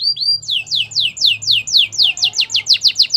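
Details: Canary singing a training song: a steady series of about fifteen downward-slurred whistled notes at roughly four to five per second, over a faint low hum.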